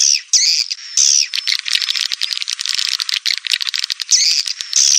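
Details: Call played to attract swiftlets, 2021: shrill sweeping whistled notes at start and end framing a dense, buzzy, crackling chatter of many high twitters.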